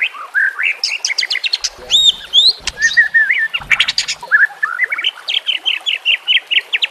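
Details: Full-voiced song of a White-rumped shama, used for training caged birds: rapid rich warbling with clear rising whistles and bursts of crisp notes, ending in a long string of quick repeated chips over trickling water.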